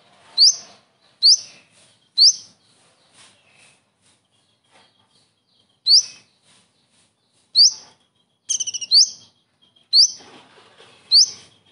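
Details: Common iora singing a full kingfisher-imitation repertoire with the typical kingfisher 'shot' notes, kept as a master song for training birds: sharp, loud upslurred notes roughly once a second, a quick stuttering burst near the end, quiet background.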